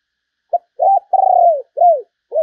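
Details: Spotted dove calling as a decoy to lure other doves: a series of low, mellow coos, one short note, then a long trembling coo that slides down, then a falling coo, on a quiet, clean background.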